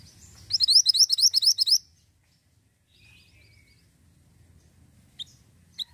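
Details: Ashy tailorbird in full voice on a lure recording meant to draw others into song: a fast volley of roughly eleven shrill, evenly spaced high notes, followed by quiet and two isolated sharp ticks near the end.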